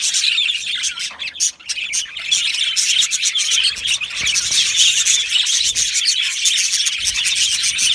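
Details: A colony of budgies chirps and warbles in a flock chorus. Many quick bright notes run together. There is a short dip near the start, then dense, even chatter to the end.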